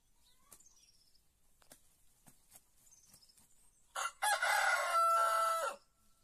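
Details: White rooster crowing: after a few seconds of faint high chirps from small birds, one loud, harsh, sustained cock-a-doodle-doo lasting nearly two seconds, with a brief break near its start.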